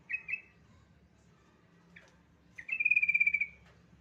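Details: Yellow-vented bulbul singing a lure song meant to set other bulbuls singing. Two quick chirps open, then a brief note and a longer, rapid, bubbly warbled phrase of about a second near the end. Faint low hum underneath.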